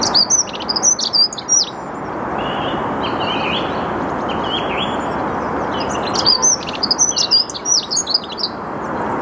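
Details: Dunnock (Prunella modularis) singing at 08:55 on 8 March 2022 in the Ruhr floodplain at Mülheim an der Ruhr: two quick, high, jumbled warbles about five seconds apart over a steady rushing hum, with fainter Song Thrush notes between.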